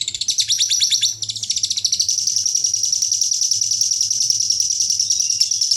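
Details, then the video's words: Lovebird giving a long ngekek chatter in contest style, described as a champion with full isian: a fast, high, buzzy rattling stream of rapid repeated notes, continuing almost without break, with a brief pause after about one second. "Love bird ngekek panjang juara full isian"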